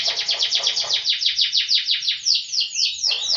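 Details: Yorkshire canary delivering a loud rolling phrase: about twenty fast, repeated, slightly descending high notes in a smooth run, ending with a few slower downward slurs.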